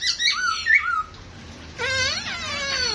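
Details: Squeaky, harmonic-rich notes from a dancing pet masked laughingthrush: a quick burst of sliding squeaks, a short pause, then drawn-out falling nasal whistles.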